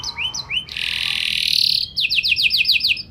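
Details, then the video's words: Energetic canary song used to prompt other canaries to reply: two short rising whistles, a loud harsh buzzy stretch, then a crisp series of about eight rapid downslurred notes. "Burung Kenari Gacor Nembak Joss Cengkok Istimewa! Buat Kenari Lain Langsung Nyaut Gak Pake Lama"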